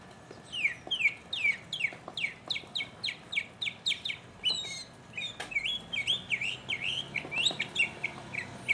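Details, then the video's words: Solo mockingbird song recorded in 2015: a long run of quick, sharply falling whistled notes repeated over and over, then a switch to a new phrase type, with a faint low hum underneath. "mockingbird Solo"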